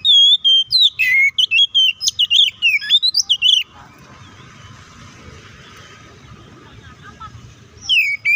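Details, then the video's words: Oriental magpie-robin delivering a fighting song meant to provoke rivals. About three and a half seconds of fast, varied whistles and harsh chirps, then a quiet gap with faint background hiss before a short whistle returns. "KACER GACOR NGEPLONG TARUNG KONSLET❗PALING AMPUH BUAT PANCINGAN KACER AGAR EMOSI!"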